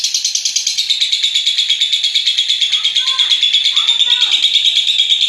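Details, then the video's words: Long ngekek trill of a lovebird, played so other lovebirds sing along: a steady, rapid, piercing chatter throughout, with two brief lower warbled notes appearing in the second half. "Suara Masteran Burung LOVEBIRD Ngekek PANJANG Sering Diputar Untuk Merangsang BUNYI Lovebird Lain"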